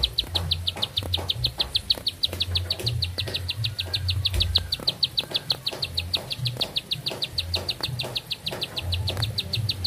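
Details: ['A bar-winged prinia delivers a single long song without pause, high sharp notes repeated rapidly and evenly, roughly six each second, over a low hum and scattered soft taps.']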